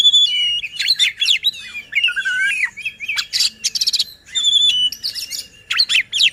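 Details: Oriental magpie-robin song meant to make rival magpie-robins agitated and push silent birds to sing: shrill whistled phrases with sliding notes, harsh buzzy bursts, and quick chirps, delivered loudly and almost without break.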